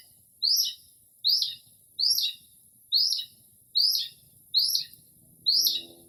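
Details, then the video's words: Northern mockingbird singing late at night in early spring outside a home, recorded from a porch in quiet without urban noise; one sharp, descending chirp phrase repeated evenly about every 0.8 seconds, seven times. "Northern Mockingbird Mimics Different Bird Calls"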